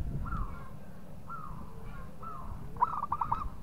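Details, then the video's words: Local zebra dove provoking a rival: three soft, drawn-out cooing phrases, then a louder quick run of staccato hollow coos, with low rumbling noise beneath. "PERKUTUT LOKAL GAJOR JAGO MEMANCING LAWAN BUNYI"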